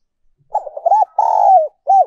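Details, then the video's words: Spotted dove decoy song in the 'giọng còi' or 'giọng kim' style: a stuttering run of short coos leading into a long, smooth falling coo, then a short closing note. "cu gay moi chuan mp3/ Giọng còi chuẩn nhất 2022"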